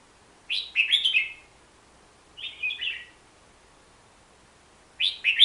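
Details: Hook-billed bulbul giving three separate short song phrases, each a cluster of bubbly, downward-slurred notes, spaced a couple of seconds apart.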